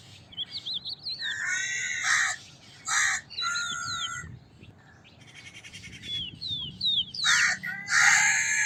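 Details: Crow calling with a series of loud, raspy caws in quick uneven succession, while high thin chirps of small birds run underneath.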